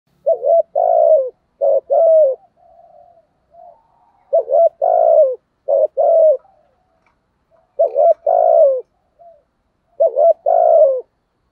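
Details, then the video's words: A decoy spotted dove used to lure wild doves gives soft, mellow, low coos in short phrases of three or four notes, repeated about every three seconds, with a few quieter single notes between phrases. "chim cu gáy mồi thúc gù"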